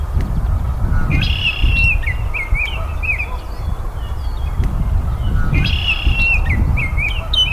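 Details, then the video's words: Baltimore oriole song in two matching bursts about four seconds apart, each a sustained whistle followed by quick rising-and-falling slurred notes, set against constant low-pitched background rumble. "BURUNG KICAU"BALTIMORE Oriole"(KICAU MANIA)Full Gacor"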